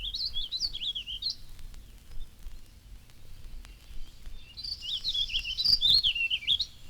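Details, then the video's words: Warbling Vireo in a garden giving its song in sentence form, a hesitating warble ending with a rising inflection: two rambling warbled phrases, each over a second long, separated by a long pause, over faint background noise. "that ends with a rising inflection, as though it were saying, "Iggly, piggly, wiggly, pig.""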